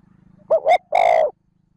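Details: Spotted dove giving a 'trơn ròng' style call meant to stir up wild doves: two quick, hoarse, rising notes followed by one longer, drawn-out rough coo. The background is otherwise quiet apart from a faint low hum.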